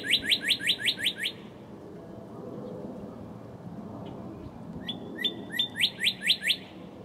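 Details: Northern cardinal singing close-up in early morning in March 2011 during a thunderstorm. It gives loud, clear whistled phrases: a fast run of about seven rising slurs, then steady notes building into another quick series, over rain and thunder.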